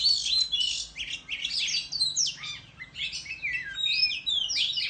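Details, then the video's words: An Oriental magpie-robin in the countryside sings a competitive song while fanning its tail: a rich, varied song of quick whistles, slurs and scratchy notes, high and nearly continuous, with no other sounds behind it. "Chích Choè Than Hót Múa Xoè Hót Đấu"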